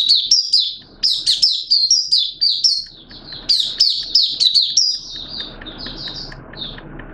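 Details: A Malaysian Oriental white-eye, a kept songbird, singing on Sunday 21 June 2023. It gives a fast, high, twittering run of sweet chirps and slurred notes, pauses briefly, then trails into thinner, spaced tweets.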